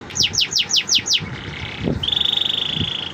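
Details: Canary singing: a run of six quick descending whistled notes, a brief pause, then a fast steady high trill buzzing through the second half, with faint low background noise.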